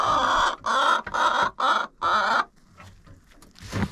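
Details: Hens in a coop, recorded by a GoPro set inside. Five loud, raspy squawks are evenly spaced about every half second, followed by near silence and a soft rustle.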